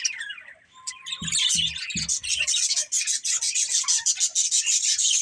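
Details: Budgerigar breeding pair; soft rising whistles open, then rapid, rhythmic high chirping chatter continues steadily, with a few low knocks early on.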